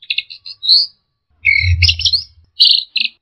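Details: Orange-headed thrush song for tutoring and provoking birds: quick stuttered chips and a rising whistle, then dense buzzy chattering phrases in short bursts, with a brief low hum.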